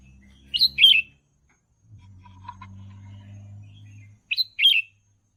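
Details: Red-whiskered bulbul song recorded for training young birds, two matching short warbled phrases of a sharp note plus a tumbling slur, about four seconds apart, with a low hum and faint clicks between them.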